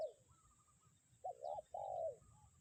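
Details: Spotted dove used as a decoy lure, calling in strong wind in the 'kuk 1' style: a brief falling coo at the start, then a double hooked note and a long mellow falling coo, over low wind rumble and a steady high whine.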